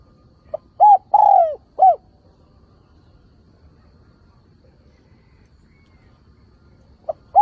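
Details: Decoy spotted dove cooing to entice wild doves to answer. It gives one full phrase of a short tick-like note and three deep, hollow coos, the middle one longest and falling, then quiet before a new phrase begins.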